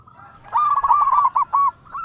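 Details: Local zebra dove (perkutut lokal) calling in all directions, giving a single quick burst of rolling, gurgling coos that ends in two separate drawn notes.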